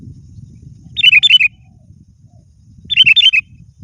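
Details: Sooty-headed bulbul calling at a rival, two rapid bubbly phrases of five or six liquid notes about two seconds apart, over a steady low rumbling background.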